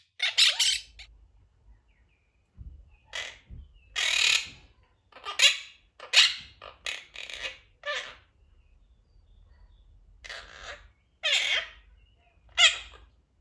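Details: Pet Quaker parrot making noises: scattered harsh squawks and rough chattering bursts, irregular and varied in length, with quiet gaps between. A low hum lies underneath.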